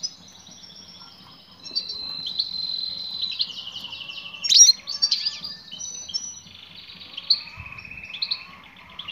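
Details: Female European goldfinch calling to a male: drawn-out, high, thin tones and buzzy trills, broken by a sudden sharp burst of twitters, over quiet background.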